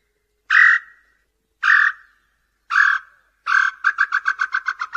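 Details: Tataupa tinamou (nambu-pé-roxo) song, used to attract males and females: three spaced whistled notes that break into a fast, even trill of short repeated notes lasting over a second.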